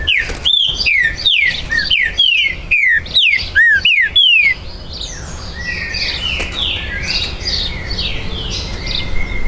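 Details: Territorial Green-winged saltator at a breeder's premises, 19 September 2020: a run of about nine strong, downslurred whistles in steady rhythm over four seconds, then only faint chirping of other birds.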